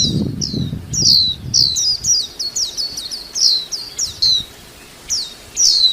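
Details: Rapid series of high, falling chirps from a white-eye, then a short pause and two more notes. Low rumbling noise is heard at the start.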